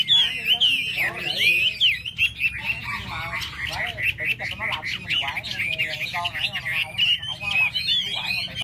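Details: Wild hwamei singing a dense, rich song: rapid warbled and whistled phrases, sliding up and down with few pauses, loud and continuous for the whole stretch, over a low steady background hum.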